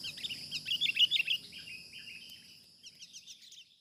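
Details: Wild sooty-headed bulbul during a bird-trapping session: a rapid run of short, chirpy, slightly sliding notes, loudest near the first second and then fading, with a brief second burst of chips near the end, over a steady high-pitched whine.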